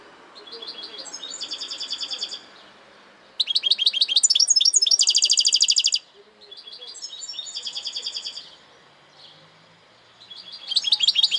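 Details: European goldfinch delivering a series of fast twittering phrases with buzzy, trilled passages, separated by short pauses; a louder, dense burst in the middle, over a low background murmur.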